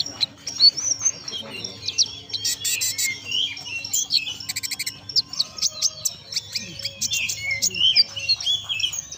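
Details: Konin in full, vigorous song with belalang emas phrases worked in: a dense run of high, thin chirps, fast rattling trills and slurred whistles, almost unbroken for nine seconds, with a faint background voice.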